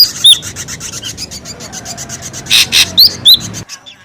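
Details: Raspy, rattling chatter from an ashy drongo in a noisy lure recording, with sharp high whistled slurs and harsh bursts near the end before it cuts off.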